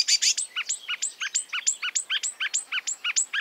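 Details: Repeated two-part phrase from a marsh warbler, a high sharp note followed by a lower doubled chirp, roughly four times a second, in song borrowed from European and African birds.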